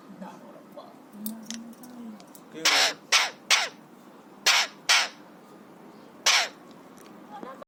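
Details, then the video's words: A happy, excited 3-year-old pet Alexandrine parakeet gives six harsh, broadband screeches in uneven bursts, with softer chatter and low vocal sounds between them; the bird is said to imitate coughs, whistles and screams. "Parrot imitates Cough & Whistles & Screams"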